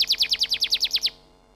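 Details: Canary singing a fast trill of about ten identical downward-sweeping whistled notes, evenly spaced roughly ten per second, ending abruptly after one second into near silence.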